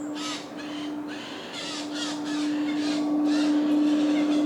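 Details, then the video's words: Eurasian Jays feeding chicks in Padarn Park woodlands in July: a run of harsh, broadband rasping calls repeated about every half second, rising in loudness, over a steady low electrical hum. "Sound of Jays feeding chicks"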